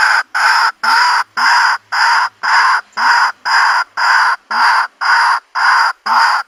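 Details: White-breasted waterhen calling as bait for a countryside bird trap: steady, evenly spaced harsh croaks, about twelve in six seconds, each a grating burst of similar length.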